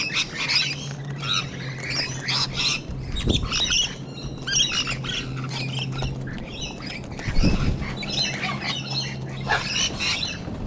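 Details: Mixed flock of sulphur-crested cockatoos and rainbow lorikeets in Sydney, Australia: continuous raucous screeching and chattering from many birds, two louder sharp cracks near the middle, a steady low hum underneath.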